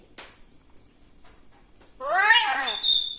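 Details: Kitchen parrot talking: after a near-silent stretch with a single tap, a loud harmonic phrase rises and falls, topped by high whistled tones.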